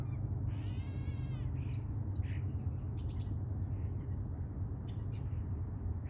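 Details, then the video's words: Common starlings in the morning, September 26: a nasal, buzzy harmonic note, then two bright falling whistles followed by clicks and short chattering bursts, with a continuous low rumble underneath. "September 26 a.m. observing common starlings"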